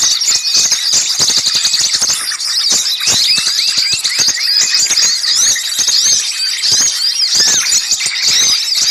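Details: Small birds in a noisy lure recording used for bird trapping: a dense, nonstop chorus of high, squeaky chirps and short rising whistles, with many sharp clicks and ticks scattered throughout.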